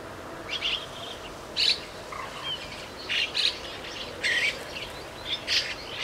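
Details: Young chestnut-cheeked starling in a garden one morning, giving sharp, scratchy high chirps in short bursts roughly once a second, some doubled, over constant broadband background hiss.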